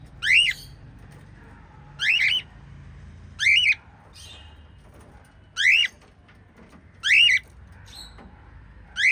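Lovebird giving sharp, shrill rising chirps, repeated at irregular intervals of one to two seconds.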